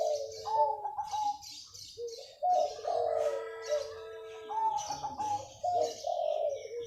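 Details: Early-morning manggung song of a local wild-type zebra dove, delivered vigorously: repeated phrases of trilled, bubbling coos alternating with smooth sustained notes, several bouts over about seven seconds. Other small birds chirp at higher pitch throughout.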